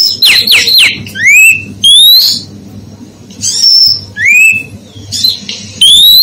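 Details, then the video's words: Whistled calls of a female oriental magpie-robin that stir males into excitement: clusters of harsh high notes, repeated upward-sweeping whistles and a level high tone, separated by short pauses with a steady noisy background. "Siulan maut Kacer betina"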